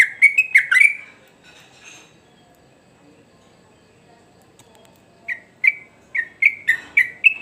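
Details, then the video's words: Energetic sooty-headed bulbul song: a quick burst of tumbling whistled notes, a quiet pause of about four seconds, then a steady series of roughly eight bright, slurred whistles, about two per second. "Burung Trucuk Gacor"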